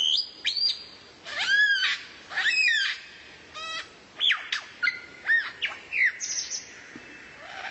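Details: Tutor song of a rare bird, recorded for training a White-rumped shama (kacer): rich, varied phrases of arched whistles, rapid rattles and sharp clicks, each burst separated by brief gaps.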